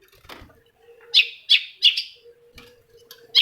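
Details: Long-tailed shrike song aimed at provoking a rival shrike to sing: a run of three loud, rasping, buzzy high notes about a third of a second apart, then a pause and another rasp, over a faint low hum.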